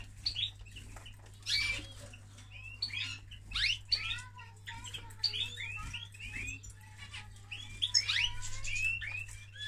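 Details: Male canary singing during mating: quick, high twittering chirps and short rising whistled slurs in scattered bursts, with occasional lower whistled notes, over a steady low electrical hum.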